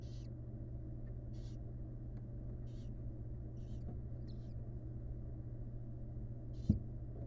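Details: Barn owl, a mother seeing her first nestling for the first time: short breathy hissing bursts at irregular intervals, about seven in seven seconds, over a steady low electrical hum.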